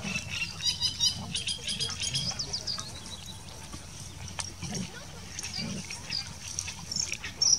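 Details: Great reed warbler (Acrocephalus arundinaceus) recorded at Hoofddorp, Netherlands, on 3 May 2020, giving a harsh, grating, croaky chatter that is busiest in the first three seconds and then sparser, over a low wind rumble.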